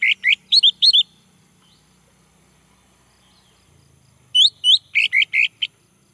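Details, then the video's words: Orange-headed thrush male, recording played to set a bird singing: rapid runs of short, bright, repeated chirping notes in two bursts, about three per second, separated by a quiet gap with faint low rumble. "Anis merah jantan, agar bunyi"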